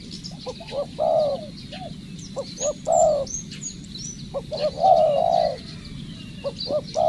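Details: Decoy spotted dove in training cooing in grouped phrases: short rising notes followed by longer mellow coos, about thirty-two per minute, with distant thin whistles of other birds behind.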